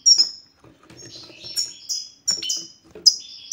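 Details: European goldfinch in 'satsata' style, a song used to make silent males sing: a few loud, high, sweeping notes and short buzzy trills, broken by a soft, quieter stretch of faint twittering.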